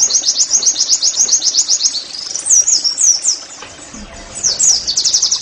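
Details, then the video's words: Oriental white-eye song played as a training track to get caged white-eyes singing steadily: very high, thin, rapid chirps strung in fast twittering runs, with a brief pause midway before the quick series resumes. "TERAPI NEMBAK PLECI I, Agar Pleci anda cepat GACOR BOS!!"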